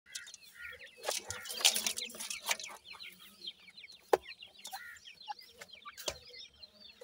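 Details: Five captive Black francolin chicks, 26 days old, three female and two male, giving dense overlapping chirps that slide downward, mixed with sharp clicking taps and soft clucks throughout.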